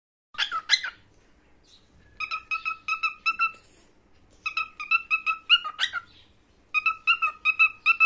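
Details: A young male cockatiel, about a year old and finding his voice, sings bursts of rapid, repeated whistled notes with clear harmonic tones.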